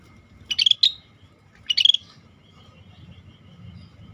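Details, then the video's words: Scaly-breasted bulbul in full voice gives two clustered phrases of sharp, bright whistled notes, about a second apart, each ending in a short level whistle. Quiet low background hum. "Suara Burung Cucak Bersisik Gacor Masteran langka"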